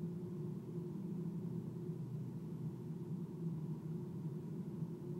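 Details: Continuous low rumble and soft hiss with no change or calls, leaving the nighttime recording free of animal sounds.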